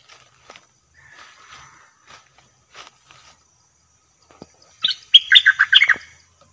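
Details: Caged bulbul used as a trapping decoy gives a brief burst of bright, chattering notes near the end, after several seconds of faint scattered sounds.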